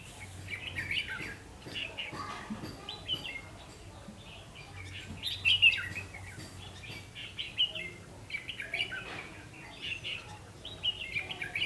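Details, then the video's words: Red-whiskered bulbul used as a lure bird at a double spring trap, recorded at 5 pm on 3 September 2016: short bright warbled phrases repeated every second or two, with a low steady hum beneath and faint background chatter. "Bẫy chào mào ché nẩy kép"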